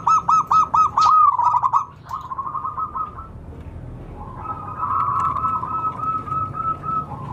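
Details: Wild local zebra dove lure call: loud pulsed trilling coos at the start, then softer drawn-out level notes fading into steady background noise.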